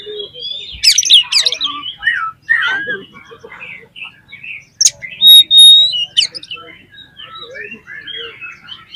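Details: Oriental magpie-robin song used as a lure to stir other magpie-robins into singing: a rich, nonstop run of sharp upswept whistles, warbled phrases and chattering notes, with a loud sustained whistle midway through the nine seconds.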